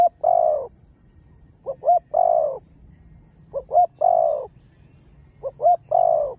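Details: Cooing of a spotted dove, full song with chiêu, thúc and gù styles used to stir newly caught birds into cooing; three repeated phrases of two quick hoots and a long descending coo, about every two seconds.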